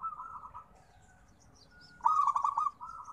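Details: Local zebra dove cooing: a soft trilled coo fades out, then after a pause a louder stuttered, bubbling phrase bursts in and trails into a gentler coo.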